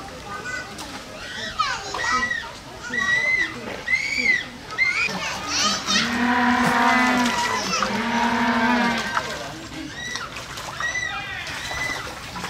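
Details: Humboldt penguin at Hamura City Zoo, Japan, 20 June 2015, braying twice between six and nine seconds with a low, droning, harmonic-rich voice, amid children's excited high-pitched voices and chatter that fill the rest.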